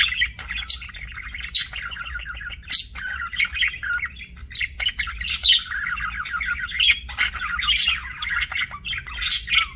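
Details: Budgies chirping: continuous warbling chatter of rapid buzzy trills and bright squeaks, with frequent sharp high clicks punctuating the flow.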